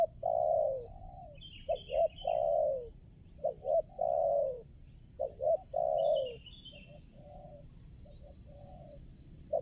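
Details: Spotted dove used as a decoy to lure wild doves for trapping at a new site: soft coos near 600, short doubled notes then a longer falling coo, repeated in phrases; faint higher chirps of another bird and a steady insect hiss.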